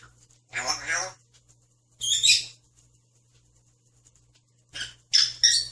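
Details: Young male grey parrot (Psittacus erithacus) speaking Korean, mimicking words such as "hi", "hello" and "no": three short, high, voice-like phrases over five seconds, some ending in shrill whistled tones, with quiet gaps between.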